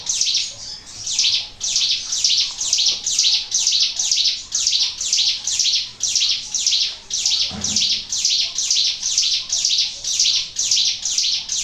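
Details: Sunda warbler in energetic song for luring: a fast, continuous series of high, shrill, sweeping notes, slightly over two per second, with one faint low thump midway.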